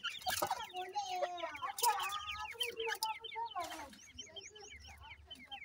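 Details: Iranian partridge feeding brown chicks: short falling peeps repeated about 83 times a minute, drawn-out low clucks from the parent, and rustling bursts near the start.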